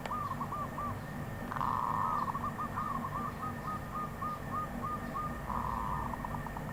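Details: Wild zebra dove giving a rapid staccato run of soft coos, some notes merging into a brief trill, over a constant low hum.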